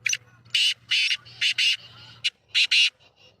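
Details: Sheedi-line black francolin (kala teetar), Sindh and Punjab, giving repeated coarse, scratchy call bursts in an uneven rhythm, with a low hum beneath between notes.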